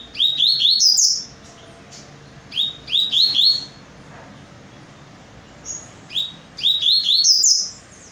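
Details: Double-collared seedeater song in three phrases of fast, clear, upward-sliding whistles repeated in quick runs, with steady background hiss and a faint hum.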